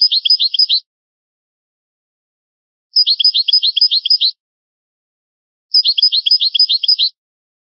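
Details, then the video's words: European goldfinch singing an old, original-style song from a rare tape: three evenly spaced, high-pitched phrases of rapidly repeated chirping notes, each under two seconds long, with roughly two seconds of silence between them. "شريط نادر للغة الحسون الاصلية Chant chardonneret ancien"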